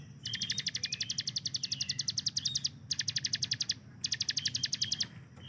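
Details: Hill prinia master bird firing repeated bursts of very rapid, even ticking notes, four bursts separated by short gaps, over a steady low background hum.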